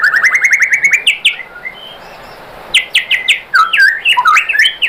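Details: White-rumped shama singing to provoke other shamas into answering: a quick series of repeated rising whistles, a pause of over a second, then loud varied whistles with sharp high notes.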